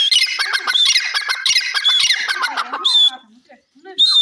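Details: Grey francolin, known locally as teetar, calling in a loud burst of rapid, raspy, chattering notes for about three seconds, then a quiet gap and a short high whistled note near the end.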